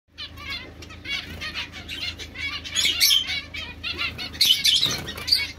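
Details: Society finch, domestic form, giving a dense run of buzzy, harmonic chirps with brighter high notes near the middle and end; steady low hum and soft fluttering underneath.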